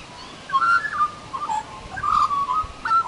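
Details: Australian magpie in a small tree, warbling in clear, fluty whistled phrases that slide and waver in mid pitch, with short pauses between runs over a quiet background.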